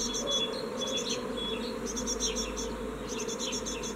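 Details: Fledging young great tits at their nest box, recorded 14 May 2017, when only one youngster would leave; bursts of high squeaky chirps and short whistles repeat in groups over a loud, steady droning hum.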